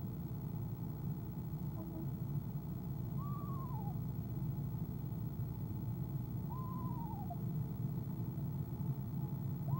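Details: Eastern screech owl female in a nest box on an owl cam, evening of 25 January 2015 before departing: wavering, falling trills roughly every three seconds, the last cut off, over constant low hum.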